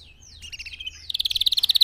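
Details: Canary of the red factor type singing, used to train other birds: soft warbled notes slide down, then a loud rapid trill of clipped repeated notes.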